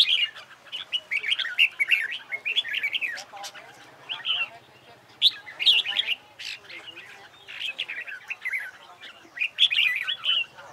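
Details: Red-whiskered bulbul singing in training for a song contest, delivering lively, repeated bursts of sweet slurred whistles and chirps, separated by short quiet gaps.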